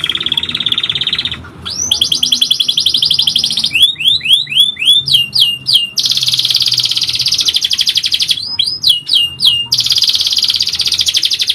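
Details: Lively canary in full long song used as a masteran for training: rattling trills alternate with series of sweeping down-slurred whistles, repeated in several phrases over about eleven seconds.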